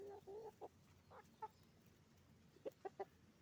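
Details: Hens and roosters at a chicken farm: opening drawn-out, rising tonal squawks, then a pause and three sharp, quick clucks near the end, all against a soft low background hum.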